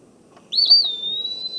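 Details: An Eastern Wood-Pewee sings its own name, one clear, high whistle that swoops upward, then holds level and slightly drooping for about a second, over faint room hum; song attracts a mate or warns off rivals.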